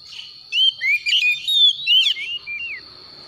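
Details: Kacer (Oriental magpie-robin) calling in the morning: a lively run of looping, slurred whistles lasting about two seconds, ending with a few short falling notes, over a constant thin high tone.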